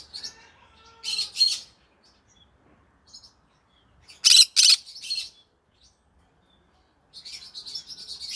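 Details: Green-cheeked conure in the evening: separate loud rasping squawks in short doubled bursts with silent gaps, ending in a run of scratchy chatter.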